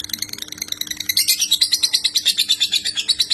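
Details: White-rumped shama master song meant for imitation, full of tembakan bursts: soft rapid chips swell into a loud, dense, high rattling trill after one second, pulsing steadily, with a faint hum underneath.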